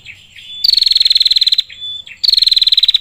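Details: Female prinia calling the male: a long pulsed buzzy trill nearly a second long, a short whistle, then another trill begins.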